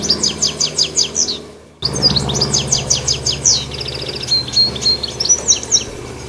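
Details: Goldfinch high in a tree singing almost nonstop: steady high chirps, then after a short break a dense, tumbling twitter with trilled runs and sliding notes.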